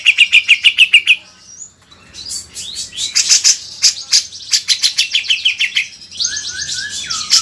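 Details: Grey-cheeked bulbul (cucak jenggot) tutor song for training songbirds: a quick burst of trilled chips, a short rising whistle, then jumbled high chattering and a couple of falling whistled notes.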